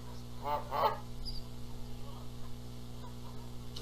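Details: Canada geese in Charlo, Montana, April 14, 2022, bickering over who incubates the eggs. Two brief harsh honks open the moment, followed by near quiet with a steady low hum.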